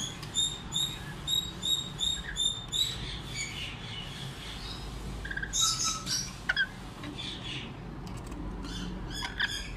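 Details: A hand-raised lorikeet chick gives a quick run of high, squeaky chirps, two or three a second, then scattered rasping squeaks over a steady low hum.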